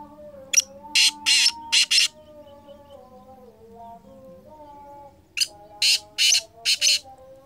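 Black Francolin giving two bursts of harsh, grating, rasping notes, four or five in quick succession, over a steady, low, humming tonal drone like music.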